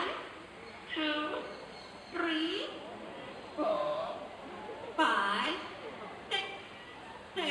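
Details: Talking parrot at Jurong Bird Park in Singapore producing a series of short, speech-like squawks and phrases, each about half a second long, with a steady background hum.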